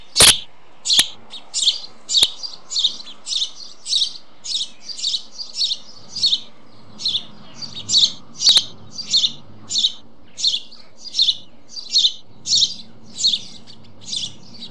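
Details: White storks at a nest in Vetschau, Germany, 9:20 am on 21 May 2011, with four chicks after the fourth hatched: a steady run of short, raspy high-pitched bursts, roughly three every two seconds, with a few sharp clicks and a faint low rumble beneath.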